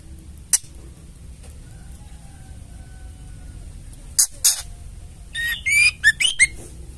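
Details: Ketrekan of a female white-rumped shama, used to goad males into song: a lone sharp tick, a pause, two rasping notes, then a fast string of buzzy, ragged notes with brief whistled inflections.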